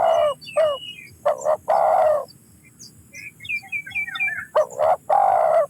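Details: Spotted dove: two clipped coos then a long one, a brief pause filled by faint high twittering of small birds, then the pattern starts again with another loud coo phrase.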